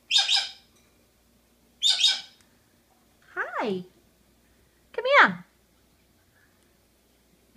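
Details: Pet monk parakeet (Quaker parrot) talking: four separate utterances about every one and a half seconds, two harsh buzzy bursts followed by two steeply falling, voice-like harmonic sweeps, with quiet gaps between them.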